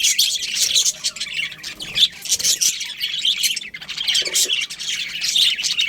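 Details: Colony budgies chatter in bursts of high, buzzy chirps and squawks, the chorus swelling and dipping briefly around the middle.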